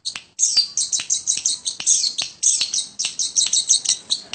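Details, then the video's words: Continuous rapid chatter from a long-tailed shrike kept at home: dense, scratchy high-pitched notes tumbling together without pause, with a few sharp clicks mixed in. "burung pentet / toed gacor rumhan"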